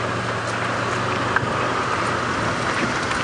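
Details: Constant engine drone and road rumble with a single brief knock, and no animal calls.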